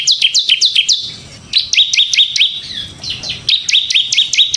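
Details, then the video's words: Energetic song of a kept bar-winged prinia ('ciblek semi'), played to lure and tutor other prinias: quick, two-part chirps, each dropping in pitch, repeated in rapid runs with a short pause between. "suara burung CIBLEK SEMI GACOR Ngebren Ampuh untuk Pancingan Ciblek Kristal dan Masteran Ciblek"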